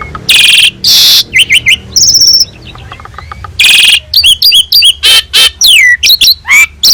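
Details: Vigorous Asian pied starling song for training other birds: loud harsh rasping blasts alternating with tumbling whistled and squeaky notes, bursts packed closely together.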